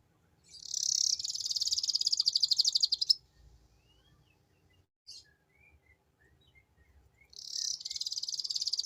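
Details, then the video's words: Caged canary lure song, ngeriwik style: a long, very high, fast rattling trill of about two seconds, scattered soft chips during a quiet gap, then the trill resumes; faint low hum throughout. "Suara Pancingan Burung Kenari Ngeriwik unik mewah"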